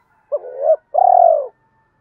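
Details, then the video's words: Spotted dove kept as a decoy, calling to draw in wild doves in the hai hậu ròng style. A brief note swells into a hollow coo, followed by a drawn-out, trilled, slightly falling coo, against silence. "Tiếng chim cu gáy mồi gáy gọi bổi hai hậu ròng"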